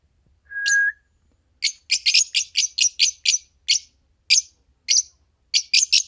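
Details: Green Fischer's lovebird pair chirping: a brief whistled tone, then a quick burst of shrill, piercing chirps that slows into single sharp notes spaced about half a second apart.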